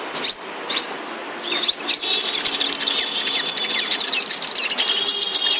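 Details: Kept flowerpecker in moult: a few thin, high slurred whistles, then a fast, busy run of sharp chirps and twitters with short trills, all very high-pitched.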